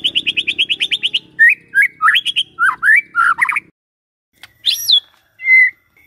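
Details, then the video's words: A white-rumped shama singing, played in the morning to prompt a silent shama: a rapid high trill, then rich, varied, swooping whistles, a pause, and two final clear slurred notes. "Pancingan PAGI-PAGI AGAR MURAI GACOR❗sekali coba murai DIAM langsung bunyi"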